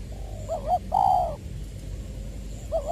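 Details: Decoy spotted dove from Trà Vinh (Long Đức), 'giọng tiểu' voice style, 22 February 2021: a wavering two-part coo runs into a drawn-out descending croon, and a fresh coo phrase begins at the end over low rumble.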